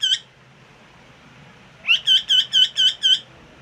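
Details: Pet parrot giving one sharp chirp, a pause, then a quick series of six bright, high, evenly spaced chirping calls, about two per second, in a quiet setting.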